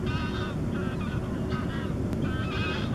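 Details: First-winter American herring gull on the outskirts of Campbeltown, Argyll, on 3 March 2014 gives short, nasal calls with a honking edge, repeated several times over three seconds against a heavy low rumble of wind or traffic.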